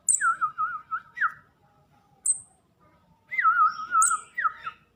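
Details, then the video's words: Young hand-fed kemade begging insistently. Runs of rapid wavering, descending chirps come in two loud bouts separated by a pause, punctuated by thin high-pitched ticks. "Anakan burung kemade yang masih lolohan."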